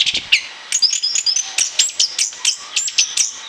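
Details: Orange-headed thrush in full chattering song, recorded for use as a lure: rapid bursts of short, sharp high notes and slurred whistles, repeated in quick clusters with brief gaps between them.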